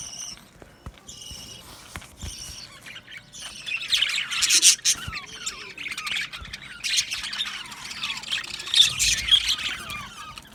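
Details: Budgies in an aviary colony chirping and singing, soft scattered chirps at first, then louder overlapping warbles and squawks from several birds.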